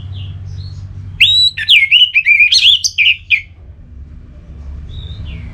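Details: Orange-headed thrush (anis merah) ngeplong song to stimulate another bird: a loud two-second phrase of fast slurred whistles and sharp chips, with a soft faint whistle before and after.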